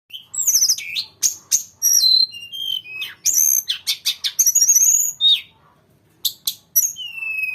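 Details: Grey-cheeked bulbul in full song, a long continuous rolling performance: quick varied whistled notes, sharp chirps and sliding high phrases tumbling one after another, pausing briefly near the end before resuming with clear falling whistles.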